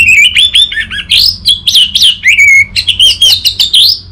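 An orange-headed thrush sings a rapid, varied run of clear whistles and sharp chirps, mostly high-pitched, with brief rising and falling phrases and no pauses.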